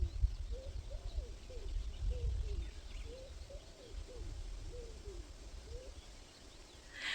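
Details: Wild pigeons living on a rural garden plot in Russia, giving soft low cooing phrases, repeated steadily about ten times over several seconds, with quiet background rumble and a faint distant bird.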